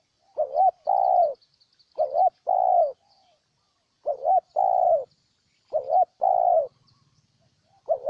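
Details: Spotted dove recorded in Ninh Thuận, Vietnam, calling steadily. Four phrases each pair a short bouncing two-note hoot with a longer, soft, falling coo. The phrases repeat about every one and a half seconds, with faint high chirps behind.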